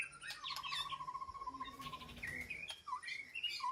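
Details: White-rumped shama in a peaceful aviary sanctuary, calling to its flock: a long, even run of rapid notes with higher whistled phrases around it, then rising and falling slurred whistles, over a noticeable low background hum.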